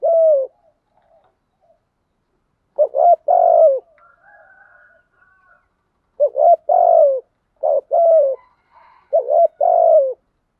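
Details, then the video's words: Spotted dove used as a decoy bird to lure and provoke wild doves, giving low, mellow coos in short hoarse phrases of two to three notes, phrases spaced a few seconds apart with quiet gaps between. "chim cu mồi thúc gù bài bản nhất hiện nay, chim cu gáy kích bổi hiệu quả nhất hiện nay"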